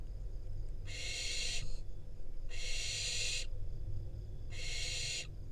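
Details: Wild barn owl fledgling in Israel getting a rodent from its parents and then eating it; three broad breathy screeches around a second each, separated by pauses, over a low steady hum.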